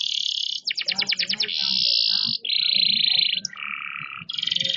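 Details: Loud canary song with movements: high buzzy trill, a quick burst of pulsed notes, then successive long level rolls stepping down in pitch before rising again to a high trill.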